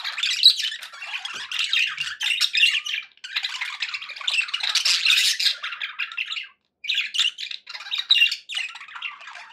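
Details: Pet budgerigars in a happy mood: steady, dense scratchy warbling and squawks, running almost without break, with one short silent gap.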